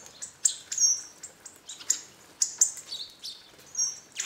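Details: A hawfinch flock regularly visiting a feeder atop an old pig house in a Hungarian garden; crisp, very high ticks and short thin whistles, spaced roughly every half second, loud and close.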